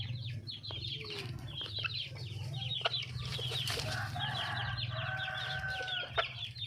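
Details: Red junglefowl hen in the wild calling for a mate: quick high chirping from other birds first, then a sustained harsh harmonic call around the middle of the recording, over a steady low drone.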